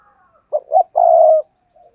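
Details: A single cooing phrase from a decoy spotted dove in fiery "gù" style: two short rising hoots then a long, even, hollow coo lasting about half a second.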